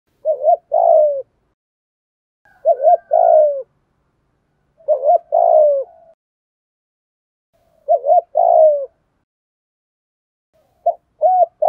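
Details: Spotted dove cooing in the thổ and thúc song styles with calling coos, played to train newly caught decoy birds that coo too little. Short clipped notes lead into a longer falling coo, each phrase repeated about every two and a half seconds against a quiet background.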